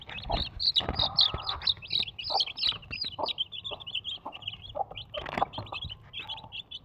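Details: A Desi mother hen with four chicks: the chicks peep in fast, high, looping chirps while the hen adds short low clucks near the start and middle.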